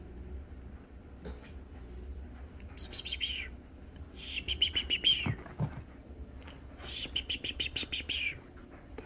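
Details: Pet toucan indoors at home, playing with window blinds, giving harsh, buzzy rasping bursts in three drawn-out clusters of rapid clattering pulses, with quieter clicks between and a person's voice nearby.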